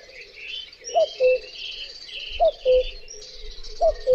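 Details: Steady cu-coo song of the common cuckoo (Cuculus canorus). Three two-note calls come about 1.4 seconds apart, each a short falling upper note then a held lower note, and the last is cut off. A wash of high chirping fills the background.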